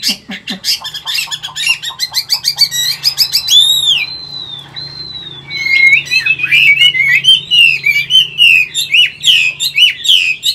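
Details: Rapid trilled chatter from an old wild-caught Chinese hwamei, caged in Vietnam and singing in the 'forest voice' style. Clear, drawn-out whistles follow, then lively twisting phrases that climb and fall.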